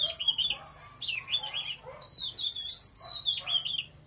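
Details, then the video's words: Oriental magpie-robin in vigorous song, with repeated wavering whistled phrases and bright rising and falling notes in near-continuous delivery. "Choè than hót cực khủng"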